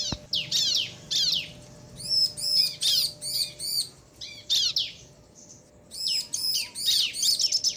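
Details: Bar-winged prinia pair, male and female trading calls to provoke rival birds: bursts of high arched chirps alternating with buzzy descending rattles, separated by short pauses.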